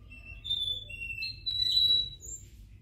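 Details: Russian canary from Kuwait sings pure whistled notes: long, level tones that step between pitches, a sustained brighter note in the middle, then a brief higher whistle, over a faint low hum.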